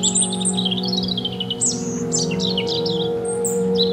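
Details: European robin in full song, fluent high warbling with slurred downward whistles and fast trills packed closely together, accompanied by steady low drone-like tones underneath.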